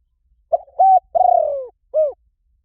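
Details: Lure call of a spotted dove for drawing in wild birds: a single clear phrase of soft coos, the third long, vibrating and falling in pitch, ending on a brief arched note.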